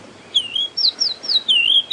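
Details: White-browed Scrub Robin's more common call, played during a morning drive at Djuma Game Reserve, South Africa, March 15, 2016: a run of high, clear whistled phrases swooping up and down, each under half a second; species is a good mimic.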